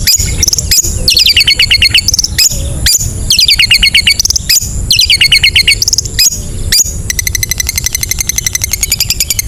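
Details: Long-tailed shrike singing ngetet, meant to provoke sluggish shrikes to sing: repeated bursts of fast, high rattling trills separated by sharp clicks, ending in a long, even, rapid trill.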